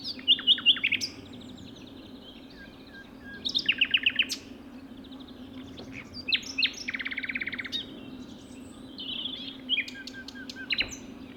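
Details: A common nightingale at a reserve in Sussex, singing out in the open very early in the morning, gives loud, varied phrases: sharp whistled notes, fast rattling trills and buzzy churrs, broken by short pauses, over a low hum.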